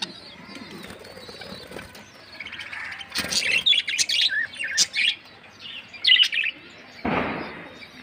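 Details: Colourful lovebirds in a colony; bursts of high, squeaky chirping and chattering from several birds, rising in the middle and ending with a short broadband rustle.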